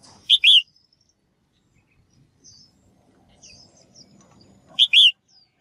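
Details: Female bird calling so males will sing briskly; a crisp double chirp opens and another closes the stretch, with quiet high twittering and low rustle between.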